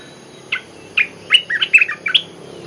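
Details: Olive-winged bulbul lure song: two spaced opening notes, then a quick cluster of chirpy, warbled notes, rising and dropping in pitch.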